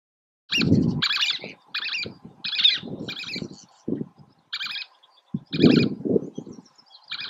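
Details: Least tern at Oso Flaco on 31 May 2019: a series of harsh, rasping, high call notes, about nine in seven seconds, some doubled, over steady low wind rumble.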